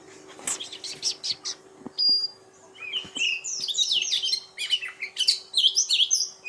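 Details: Oriental magpie-robin song: a long clear whistle, then a fast jumble of sweet whistled and twittering notes, with a faint steady background hum and a few soft clicks.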